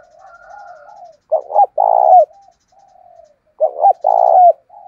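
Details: Fight-inciting cooing of a decoy spotted dove, in the manner of wild doves. Soft drawn murmurs lead into two phrases of a short doubled coo plus a longer hoarse coo ending in a slight downward slur.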